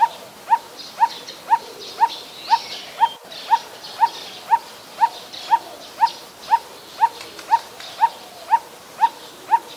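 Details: A Coppersmith Barbet in Ubon Ratchathani, Thailand, on 16 December 2019 gives hollow, metallic 'tuk' notes at a steady two per second, evenly spaced and mid-pitched, over a soft insect hiss.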